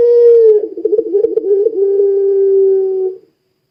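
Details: Pelung dove coo, used to draw other doves into calling: a smooth low tone that breaks into a wavering trill, then holds steady for about two seconds before fading.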